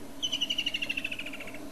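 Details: Woodland kingfisher, a migrant present in southern Africa in summertime, gives a fast run of about sixteen ringing pulses. The trill starts strong, gradually descends and fades, over a constant low background hum.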